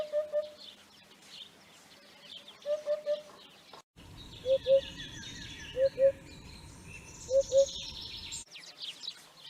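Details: Low, hollow 'oop-oop-oop' triplets from a Eurasian hoopoe, followed by paired hoots repeated roughly every one and a half seconds against a rumbling background and high bird chatter.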